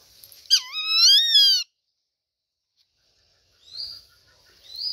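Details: Rufous-winged buzzard giving one loud, drawn-out call of about a second, rich in harmonics, that drops sharply, then rises slightly and levels off. Silence follows, then two fainter, short, high rising notes.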